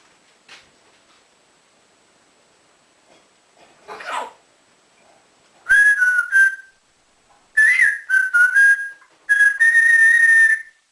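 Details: Indoor pet African grey parrot, a male that whistles like a builder and mimics speech and animal sounds, gives three loud bursts of warbling tonal whistles after a quiet opening with a faint rustle.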